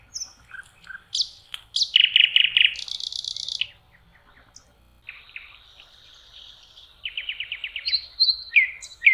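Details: Common nightingale singing on a lakeshore by the water in spring, May: rich, varied phrases of quick chirps, rapid repeated notes, a harsh buzzy stretch, then a pause and fast rattling trills with sharp whistles.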